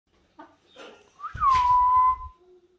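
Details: Tame golden macaw, kept as a talking parrot and said to recognise its owner after two years: soft short notes, then a harsh burst and a clear whistled tone that rises briefly and holds steady for under a second.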